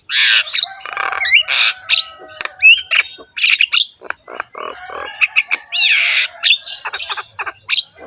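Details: Javan myna with a rough, harsh voice and head-bobbing display, singing a busy medley of grating squawks, buzzy rasps and short rising whistles, tightly packed with hardly a pause.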